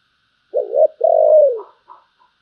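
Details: Spotted dove singing in the style called giọng thổ, described as a deep, pleasing voice: a two-part low coo, a short wavering note, then a longer smooth drawn-out coo that slides downward, followed by faint soft notes.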